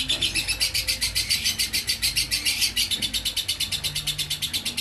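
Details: Lovebird ngekek in konslet fashion: a nonstop stream of quick, piercing chatter notes, pulsing steadily and high, with a faint low hum in the background.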